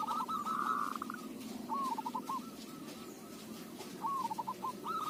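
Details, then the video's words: Local zebra dove, its voice suited for luring: several phrases of rapid, rolling, staccato coos at mid pitch. The first phrase is loudest, and the phrases repeat every couple of seconds over a steady low background hum. "Perkutut lokal suara cocok buat pancingan"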